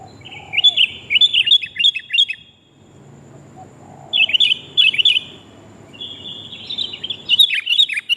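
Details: Sooty-headed bulbul female calling the male, for luring: short groups of four or five quick, high chirps separated by pauses, then a longer buzzy trill at the close.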